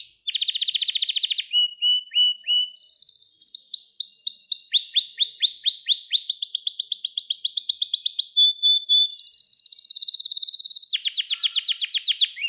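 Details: Gloster canary training song for stimulating males and teaching young birds, a continuous flow of rapid buzzy trills and rolling tours that switch every second or two between high and lower pitched rattles.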